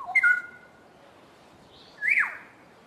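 Black-headed orioles duet: a short burst of liquid, fluty whistles, then after a pause a single rich whistle that rises and falls. The background is quiet.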